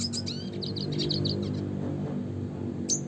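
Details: Classic red siskin (Spinus cucullatus) song: a burst of rapid high twittering and slurred notes for about a second and a half, then quiet hum and a single sharp chip at the end.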